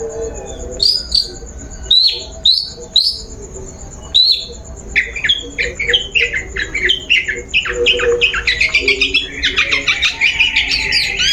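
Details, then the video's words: Long-tailed shrike song used as a lure to provoke a bird into singing. Spaced, high, falling whistles lead into a fast, rising chatter of scratchy, squawking notes that grows into a dense, harsh flurry. "Suara Pancingan Burung Cendet"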